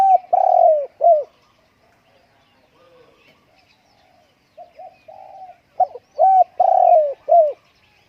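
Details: Spotted dove at home on a windy day, cooing in mellow, hollow tones: a loud phrase of short notes around one long drawn coo, soft murmured notes, then the same phrase repeated clearly.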